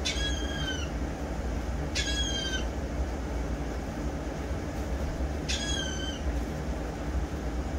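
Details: Morning gulls at Ocean City, Maryland, recorded August 17, 2021, giving three brief nasal cries spaced a couple of seconds apart, each dropping slightly in pitch, over a steady rumbling background roar.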